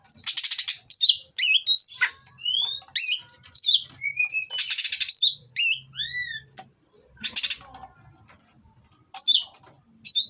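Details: Oriental magpie-robin, captive-bred in Indonesia, mating song to excite rival birds: harsh rattling bursts alternate with clear arching and rising whistles, with brief silences between phrases.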